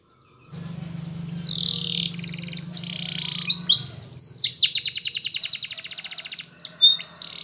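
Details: Yellow Spanish Timbrado canary singing for training: a faint low hum at first under buzzy sustained tones, then a long, even, clicking trill and a few high whistled notes.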